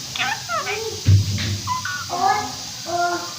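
A rose-ringed parakeet talks in a nasal, reedy voice: several short, word-like phrases with sliding pitch, then a steadier, drawn-out syllable, with a low bump of room noise.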